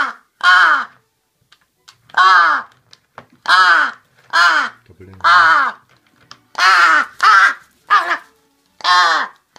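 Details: Loud, hoarse caws from a crow calling before feeding, spaced irregularly with pauses of up to a second or two, some given in quick pairs; a faint low human voice is heard briefly.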